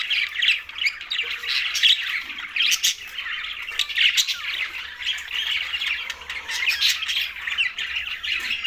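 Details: Green budgerigars feeding in a group produce a constant, grating, chirpy chatter with sharp ticks and short squawks throughout.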